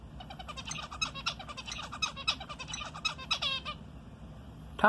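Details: Pet zebra finch chattering back to its owner: a long, busy sequence of rapid buzzy and nasal notes that runs for several seconds, then breaks off, followed by a brief loud sound at the very end.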